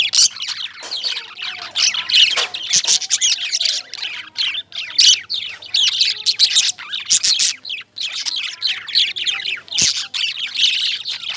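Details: Energetic lovebird chatter: piercing chirps and rasping squawks in dense, repeated bursts with short gaps, a few sharp clicks in between.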